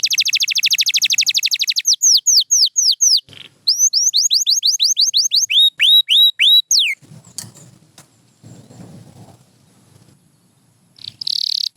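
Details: Pure white canary singing: a fast rolling trill of rapid high notes, then series of repeated downward-swept whistles in changing tempos, a brief pause, and a final buzzy burst.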